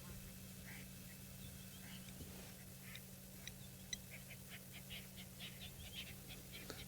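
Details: Lilac-breasted rollers on an African safari on a very hot, sunny day give harsh, rasping squawks in quick irregular bursts, several per second toward the end, over a steady low engine hum. At first taken for an alarm call, this is display: they fly up and down to impress each other.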